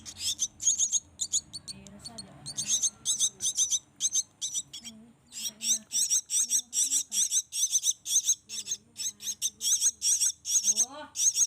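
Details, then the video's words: Hand-fed nestling black-winged mynas keep up dense bursts of piercing, buzzy begging squeals in quick series, with a low voice heard faintly underneath in places. "Kasi Makan Anakan Burung Jalak Yang Masih Di Suap"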